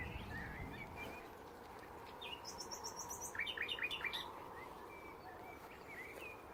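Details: Common nightingales singing around hedges at Braziers Meadow, Orwell Country Park: a varied phrase, a quick burst of very high thin notes then four or five rich repeated notes, other birds chirping softly behind.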